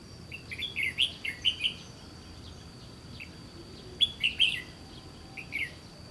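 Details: White-cheeked red-whiskered bulbul at a trapping site on the Gulf of Tonkin coast, singing two bursts of rich, rolling chirped notes three seconds apart, then a brief single phrase, against a steady high insect whine.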